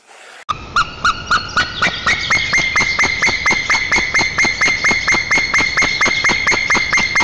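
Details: Wild white-tailed eagle pair at their nest in Nizhnyaya Kama National Park, Tatarstan, 7 April 2024, greeting each other with song as the female returns; a rapid series of harsh, ringing yelps, about two per second, steady and unbroken.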